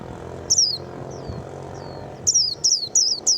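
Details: Japanese white-eye, a young bird past the juvenile stage that sings readily: a single high, thin, downward-slurred note, a pause with faint softer notes, then four quick bright descending chirps in a row. Low background rumble.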